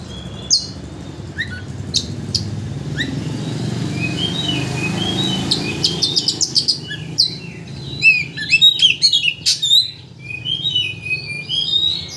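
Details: Oriental magpie-robin song used to stir up a bird into singing everything it knows: scattered chirps over low background noise at first, then dense runs of high whistled and chattering notes.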